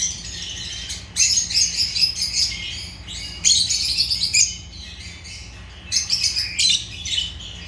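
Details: Agapornis lovebirds giving bursts of shrill, scratchy chirping lasting about a second each, separated by quieter gaps with faint background chatter.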